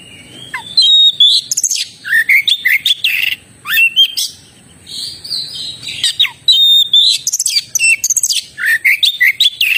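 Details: Oriental magpie-robin (kacer) in lively full song: varied whistled and buzzy phrases with sharp downward sweeps, bursts of rapid notes between short pauses, high pitched throughout, with a steady faint high hiss behind.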